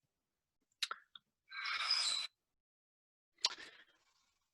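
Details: Sharp clicks and a brief crunchy, hissing burst break the quiet, like chewing or handling noise, with no animal voice.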